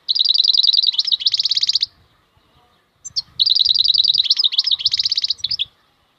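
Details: Two sustained bursts of wild European goldfinch song, each a quick chain of bright, high, repeated notes ending in a harsher buzzy twitter, with soft low rustling beneath.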